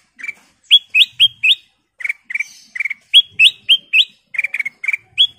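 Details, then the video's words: Sooty-headed bulbul, locally called kutilang emas, singing full and lively. It gives quick runs of short, bright, rising whistled notes in clustered phrases of three or four, about four notes per second, separated by brief pauses. "Suara Paling Cakap Burung Kutilang Emas full isian"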